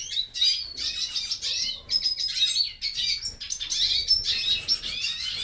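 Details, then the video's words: Hooded siskins in a breeding aviary beginning to sing: bright, rapid twittering in bursts, with short whistled notes and buzzy trills tumbling high and fast, broken by brief pauses. "Aves começam a cantar no Criatorio."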